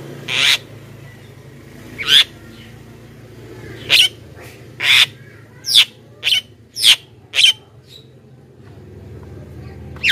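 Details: Javan myna giving single harsh, squawking notes spaced roughly one to two seconds apart, about eight in all, each a short rasp; recording used to call wild mynas closer, low hum underneath.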